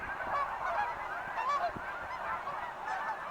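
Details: Wild geese giving clear, separate honks, some rising and some falling, a few louder calls standing out against softer calling behind them.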